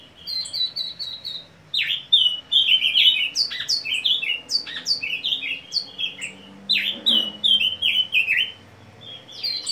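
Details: A common nightingale singing in 2019 opens with a quick run of high piping notes, then pours out rich, varied phrases of sweeps, trills and chuckles with brief pauses between.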